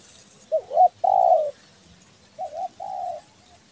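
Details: Actively calling belah dada spotted dove from Kepri, Indonesia, recorded for luring; two soft coo phrases, each a quick wavering double note then a longer level hoot, over a quiet background.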